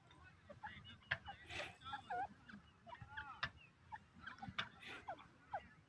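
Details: Partridges, known locally as Irani teetar, from Iran. Several birds call over one another: short harmonic notes that bend and slide, some sharp rising and falling whistles, and a few loud bursts. A low background rumble runs throughout.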